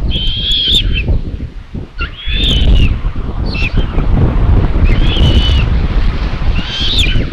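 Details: Common buzzard nest on 27 May 2022 in Tiszalök, Hungary, with the mother arriving with prey: high, slightly wavering mews repeated roughly every one to two seconds, over constant low wind noise.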